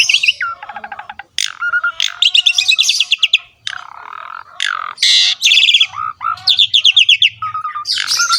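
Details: Varied song of an Asian pied starling: dry rattling trills alternate with loud harsh buzzy bursts, short falling whistles and brief pauses, delivered energetically, with a soft low murmur in places.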